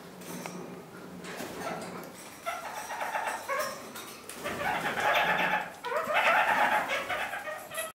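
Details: Kakariki kept as pets, busy with freshly cut blackberry and currant twigs in spring, give rapid chattering calls, roughly three per second, rising in loudness towards the end, with a few low tones early on.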